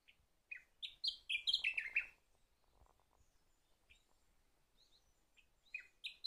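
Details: Sakhalin grasshopper warbler giving a loud phrase of clear whistled notes that hop between higher and lower pitches and end in a burry trill, with a quiet gap and the start of another phrase at the end.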